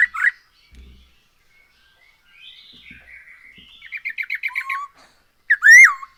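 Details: Black-throated laughingthrush, an actively singing bird used as a lure: soft warbling builds into a quick stuttering series of short notes, followed by one loud rising-falling whistle at the end.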